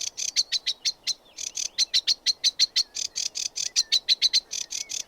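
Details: Sedge warbler singing: a fast, steady run of harsh, dry chattering notes, about five per second, with a few thin whistled slurs woven between them. No other sounds stand out.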